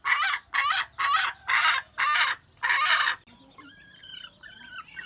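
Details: Wild red junglefowl hen dated 27 January 2015, giving six loud, grating, evenly spaced bursts over three seconds. Faint chirping calls continue quietly after them.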